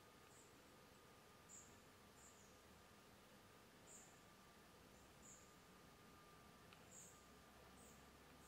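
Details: A Common kingfisher at ponds in the Draga valley on 23 July 2023 gives thin, very high, short piping notes about every one to two seconds, over a faint steady hum and hiss.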